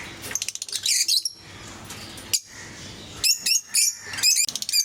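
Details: Lovebirds of various colour mutations kept as pets, calling in short bursts of shrill, high chirps and squeaky notes, with quiet pauses between groups and a faint low hum in the background.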